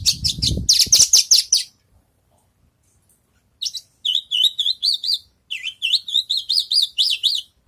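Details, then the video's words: A Javan bush lark, freshly moulted, rehearses its song: a quick burst of high chirps, a pause, then wavering, warbled phrases that rise and dip repeatedly. "branjangan selesai mabung latih bongkar lagu"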